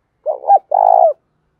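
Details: Cooing spotted dove, a decoy singing in the "thổ đồng" voice style to stir and draw in wild males; one low phrase, a wavering hollow coo followed after a short gap by a longer, steady, slightly rough coo falling at the end.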